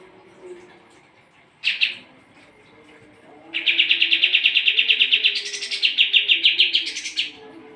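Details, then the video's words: Sooty-headed bulbul song used to train competition birds: one brief chirp, then a sustained run of rapid, evenly pulsed chattering notes lasting nearly four seconds, rising in pitch near the end. "kapas tembak gacor masteran burung juara"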